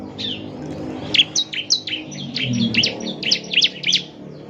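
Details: Bar-winged prinia (ciblek semi) song played to coax a bird into singing: scattered high, sharp chirps that quicken into a tight run near the end, partly masked by steady low rumbling noise.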